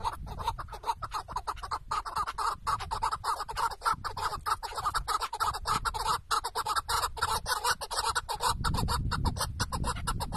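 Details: Chukar partridge kept as a tethered decoy during a hunt in Şırnak, Turkey, calling in a steady stream of gravelly clucks and chuck notes, with a gust of low wind noise toward the end.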